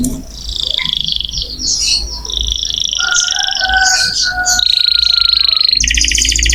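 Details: Canary singing as training audio for other songbirds: a dense mix of warbles and buzzy notes, then a long steady trill ending in a rapid high rattle, over faint background noise.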